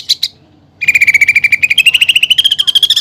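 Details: One short high note, a pause, then a quick run of pulsed notes that rises steadily: greater green leafbird song stuffed with fighting-sparrow bursts and woodpecker-like fill-ins, presented as training material.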